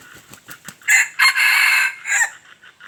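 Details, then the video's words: A wild junglefowl rooster crows: a few soft clucks, then a loud, harsh, multi-part crow with a long strained middle note and a falling tail, followed by quieter clucking notes. "suab qaib qus qua zoo"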